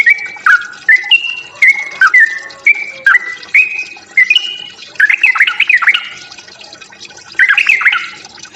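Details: Sooty-headed bulbul singing its fighting song to provoke other birds: slow spaced pairs of clear whistles, each a high note dropping to a lower one, followed by a rapid jumbled warble.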